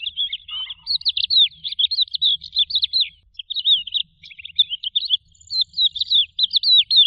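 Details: Lark delivering a long, nearly continuous song of sweet whistled notes that swoop up and down in quick succession, broken by brief gaps, with faint low background noise.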